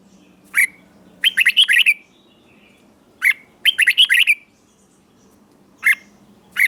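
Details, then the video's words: Red-whiskered bulbul from Thailand singing southern-style song played to rouse caged birds; single sharp notes followed by rapid bursts of five bright warbled notes, the pattern repeating about every three seconds. "เสียงนกกรงหัวจุก สำหรับต่อ หรือ เปิดให้นกคึก เสียงเพราะๆ"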